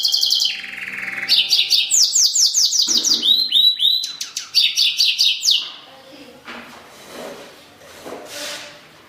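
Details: Pintagol, a goldfinch-type hybrid songbird, singing fast bright high twittering phrases: quick repeated downslurred notes and trills, rich chattering from about one to five and a half seconds, then fading softer notes with faint background sounds.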